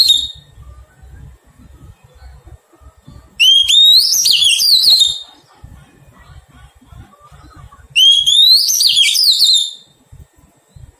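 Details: Oriental magpie-robin, wild-caught and being tamed, sings two matching phrases about four and a half seconds apart, each a rising whistle flowing into fast, twisting warbles, with faint tapping in the gaps.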